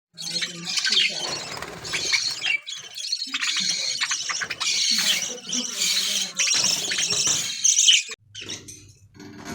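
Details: Colony of budgerigars in an aviary, playing, singing and eating: dense, continuous chattering warbles with scratchy squawks and chirps from many birds overlapping, then a brief pause and softer chatter.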